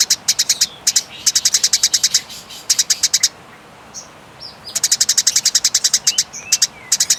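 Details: Fighting Eurasian tree sparrows rattle out long, clear chatters: rapid strings of sharp, high chips, about ten per second. A pause near the middle holds only faint, thin whistles before the rattling resumes.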